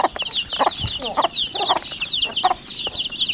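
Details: Young chickens, 40 days old, kept at home in the countryside, calling with rapid, downward-slurred high peeps in quick succession, broken by a few short, lower clucks.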